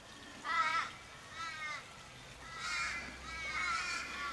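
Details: Australian ravens gathered around a dying flock member in a Sydney suburb street, Kellyville, 1 July 2012; four fainter, more distant drawn-out wailing caws spaced about a second apart over low background rumble.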